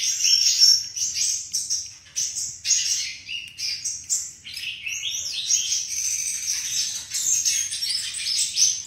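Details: Flycatcher singing a sweet, varied song in separate bursts: sharp high chirps, rattling trills and whistled slides, with short silent gaps between phrases.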